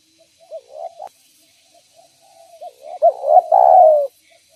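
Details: Spotted dove used to lure others of its kind: soft, hesitant low coos at first, then a stronger phrase of short notes ending in a long, sliding, falling coo, with no other sounds.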